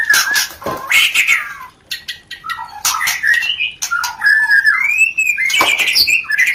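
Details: White-rumped shama giving a rencetan-style call used to stimulate mating: loud, varied phrases of slurred rising and falling whistles mixed with harsh, buzzy chattering notes, delivered almost without pause.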